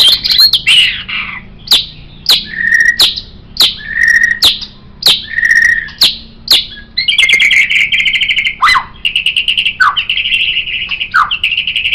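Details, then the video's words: White-rumped shama song used as a master recording for training cage songbirds: repeated rich whistles alternating with harsh notes, then a long rapid trilled stretch with short downward whistles breaking in. "MURAI BATU Ini Sangat Cocok Dijadikan Masteran Burung Kicau"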